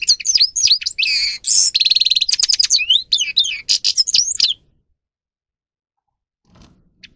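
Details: Loud, fast goldfinch song (grey-crowned) packed with twittering notes, a harsh buzzy passage and ringing trills, ending abruptly after four and a half seconds, followed by near silence and a faint low sound.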